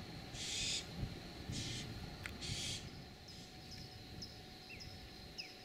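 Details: Barn owl family before dawn in San Rafael, California, on 3 June 2012: three harsh, breathy hissing screeches, each under half a second, then faint chirps of other birds over a low rumbling background.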